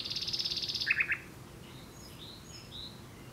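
A common nightingale sings a fast, rattling high trill, then three loud, lower chopped notes. Fainter birdsong follows in the background.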